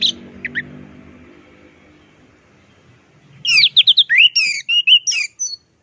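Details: Champion orange-headed thrush in teler and plong style, recorded as a tutor song: after two brief notes and a quiet pause, a rapid, varied burst of whistled, warbling phrases rising and falling, ending in thin high notes.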